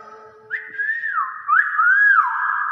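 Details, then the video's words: Common hill myna mimicking speech, apparently the word "wow": two loud whistled sweeps, each jumping up, holding level and then bending down, about one second apart, with faint speech and a low hum indoors. "BEO NGOMONG WOW"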